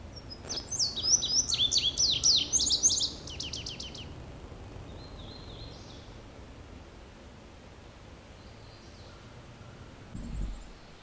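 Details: An Indigo bunting (Passerina cyanea) in full song gives a bright, high, fast phrase of paired sweet notes ending in a buzzy trill, then a softer phrase; low background rumble and a thump.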